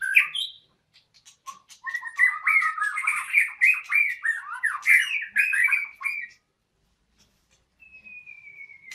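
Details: White-rumped shama at a breeding site delivering a rapid burst of varied chattering and whistled notes lasting about five seconds, followed by silence and then a single long, thin, slowly falling whistle.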